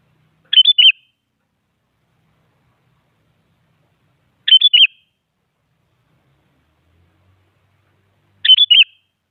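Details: Sooty-headed bulbul repeating one short, bubbly three-note whistled phrase roughly every four seconds with silence between, sung to provoke other bulbuls into singing.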